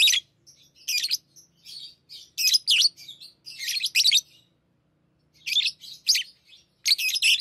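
Lovebirds chatter in shrill, scratchy bursts of high squeaks and chirps, each burst lasting about half a second with short pauses between; nothing else is heard.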